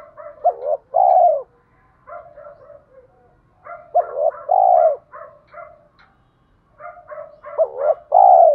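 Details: Cooing spotted dove, rustic voice, luring wild doves to fight: strong double-note-then-long-coo phrases alternate with quieter rapid stuttering coos from another dove.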